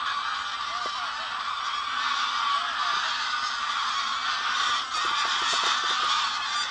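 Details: Over 500 wild greylag geese and a similar number of lapwings rise from a field and fly to ponds at the WWF Ex-risaia di Bentivoglio oasis, Italy, on a Saturday afternoon in November 2009. A steady mass of overlapping nasal honks, with some single calls standing out.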